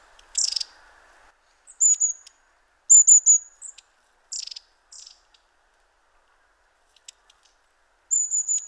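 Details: Long-tailed tits very close to the microphone, constantly on the move, in late autumn in Poland; thin high descending 'see-see' notes and short buzzy trills in scattered bursts, with long gaps between calls.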